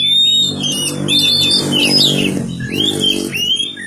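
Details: Young magpie-robin kept in a village gives quick whistled and squeaky notes over a loud, steady low droning hum.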